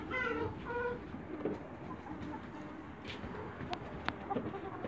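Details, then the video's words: Young Light Brahma chickens kept in a backyard in Greece; two short harmonic squawks open the recording, followed by softer scattered clucks over steady low background noise and a few sharp clicks. "CHICKEN BREEDS YOUNG BRAHMA LIGHT IN THE BACKYARD"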